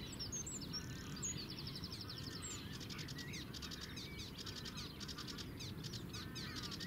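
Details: Sedge warbler singing in the Zouweboezem, Netherlands, filmed from a distance with a compact camera; a fast, scratchy chatter of high repeated notes and rapid trills runs unbroken for about seven seconds over a steady low rumble.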